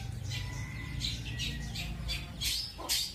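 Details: Kept long-tailed shrike singing "roll speed" and "roll tembak" song material: rapid, scratchy bursts of high chattering notes, roughly two a second, over a steady low hum.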